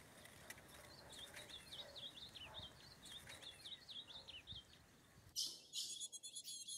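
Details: Wild ultramarine grosbeak, free in forest with a female during mating, delivers a warbled phrase of quick rising and falling whistled notes, then loud rustling or fluttering bursts close by.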